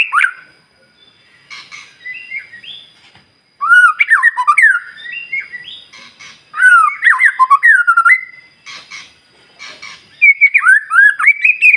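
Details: White-rumped shama singing to stir up other shamas: scattered soft notes, then three loud bursts of fast, tumbling whistled phrases with quick slurs, with short gaps between them.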